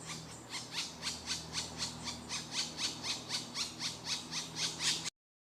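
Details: Begging calls of young woodpeckers fed by their mother: rhythmic, rasping squeals pulsing about three to four times a second, growing slightly louder before ending abruptly, a low hum in the background.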